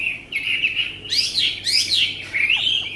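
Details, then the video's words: Tame caged Chinese hwamei giving loud whistled warbling broken by two harsh, buzzy bursts, then returning to clear wavering whistles. "họa mi ccdv1121 thuần đẹp giọng hay quá"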